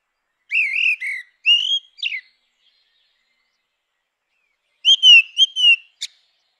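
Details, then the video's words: Grey-winged blackbird in natural habitat singing two groups of wavering fluted whistles, each made of several linked notes, separated by a few seconds of silence and ending with a sharp click. "Canção do melro com asas cinzentas! Som de melro com asas cinzentas!"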